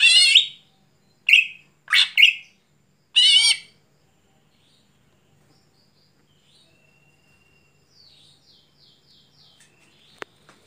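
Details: Night-time song of a greater green leafbird: four loud, rough, warbling bursts in the first few seconds, then near silence with faint high twitters and a single sharp click.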